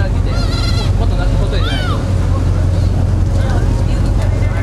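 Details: Black-headed gulls following a ferry between Rebun and Rishiri islands, chasing tourists' food, give a few harsh, nasal, slightly bleating calls, some rising and falling, over a loud, steady ship's engine drone.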